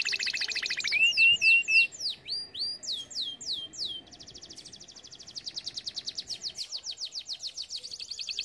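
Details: Canary song for teaching canaries: a high buzzy roll, a short series of clear rising whistles, cascading downslurred notes, then a long pulsing trill repeated several times per second.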